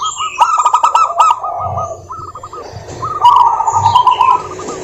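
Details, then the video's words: Local wild zebra dove in full song, used as a lure to make other doves sing: rapid stuttering runs of low cooing notes in two phrases, with sharp high chirps from other birds overhead. "suara burung perkutut lokal gacor COCOK untuk pancingan perkutut agar bunyi"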